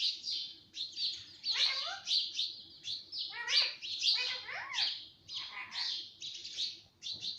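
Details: Pet parrot, said to talk, giving a series of high chirps and squawks, some with stacked downward-sliding notes, in uneven bursts about every half second to second, with a faint low indoor hum.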